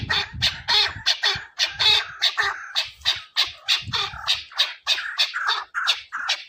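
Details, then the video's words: Chukar partridge in a hunting setting, calling in a brisk chattering series of rasping chuk-ar notes about three per second, with occasional low thumps beneath. "chakoor awaz keklik sesi"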